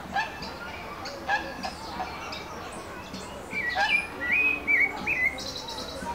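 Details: Pale-breasted thrush singing in Brasilia, Brazil: a phrase of short, clear, slurred whistles, some rising and falling quickly, delivered in a quick run after softer scattered chirps, over a steady low background hiss.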